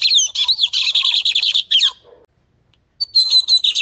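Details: Bigodinho, the lined seedeater of Brazil, singing its full tutoring song: dense fast chattering trill with a high whistled note at the start, a drop and silence after two seconds, then the trill starts again.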